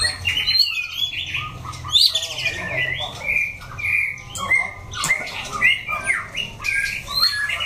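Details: Orange-feathered white-rumped shama singing in a wild, forest-like style, rapid sequence of bright whistles, downslurred notes and sharp chips in varied phrases, with short pauses between bursts.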